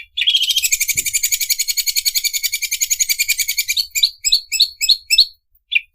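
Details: Sewing-machine style song of a greater green leafbird, starting with a high whistle, then a long rapid buzzing rattle like a running machine, ending in a series of separate sharp, rising chirped notes.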